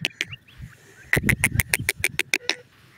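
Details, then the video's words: Grey francolin chick peeping: a rapid series of about ten short, high, even cheeps, roughly five per second, with low thuds and handling noise beneath and a few softer chirps before. "Gora Teetar Ke Pyare Bacche Ki Awaaz"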